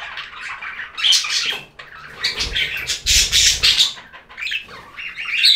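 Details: Budgerigars chattering: high squeaky warbles and harsh chirps in uneven bursts, swelling loud near the start, middle and end, with a brief soft low thump around the middle.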